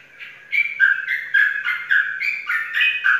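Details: Competition sooty-headed bulbul, a caged Indonesian contest winner from Pemalang, starting after a short silence into loud clear whistled notes, alternating high and lower pitches, about eight notes in under three seconds.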